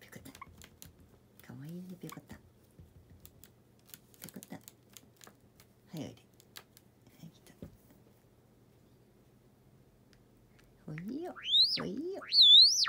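A Java sparrow gives a few loud, rising, ringing calls near the end, after quiet tapping and rustling and a soft human voice indoors.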